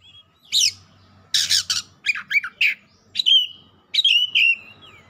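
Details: Oriental magpie-robin delivering a heated song: a steep sweep, harsh rasping bursts, quick chattering notes, then sliding whistles; a faint low hum underneath.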